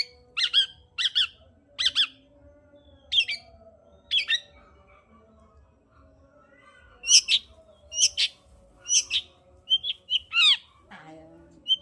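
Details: Long-tailed shrike song used to stimulate a reluctant caged bird to sing: loud harsh chattering notes in spaced bursts, then rapid repeated phrases and sweeping squeaky notes near the end.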